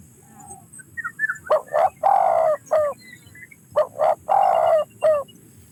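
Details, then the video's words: Two matching coo phrases from a spotted dove, each a pair of quick notes, a longer low coo and a short falling note, with a few soft high chirps from other birds first. "sound of a Spotted Dove"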